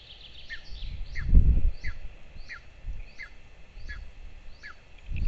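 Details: Begging from two golden eagle chicks on a camera-watched nest in northern Estonia's Lahemaa, 22 June 2024, at morning feeding: eight sharp falling squeals at a brisk, uneven pace, with loud handling noise at the nest.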